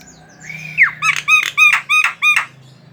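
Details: Javan myna song meant to draw other mynas into singing: a rising whistled slur followed by a run of six harsh, rasping notes in steady rhythm.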